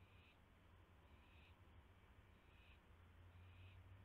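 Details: Owl receiving a mouse on the night of May 9, 2016. Four harsh, breathy hiss bursts, each about a third of a second long, come at irregular gaps over a humming background.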